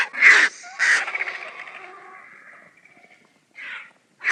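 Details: Food squabble among vultures: two sharp raspy hisses trail into a fading, wheezy rattle, followed by a short breathy puff and another abrupt hiss at the end.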